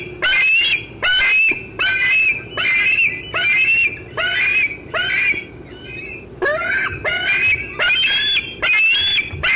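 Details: Young bald eagle squeeing away on 25 June 2013 in the afternoon, near an adult eating a fish in the old tree: a long run of shrill, rising squeals, briefly interrupted by softer chitters, then resuming.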